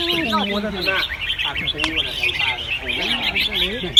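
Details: Caged red-whiskered bulbuls singing at a competition at Ban Khao Din field, Chonburi, Thailand: many birds overlap in quick, bright chirping phrases, with people talking in the background.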